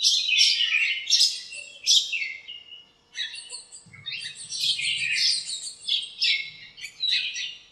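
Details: Birds in a home backyard lemon tree calling to each other on a sunny morning; rapid, high chirps in dense bursts, a short pause, then more quick twittering with a faint low rumble in the background.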